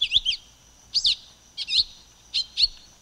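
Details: Silver-beaked tanager song of clipped, high doubled chirps, five short bursts in three seconds, each a quick two-note chip, with a thin steady hiss behind.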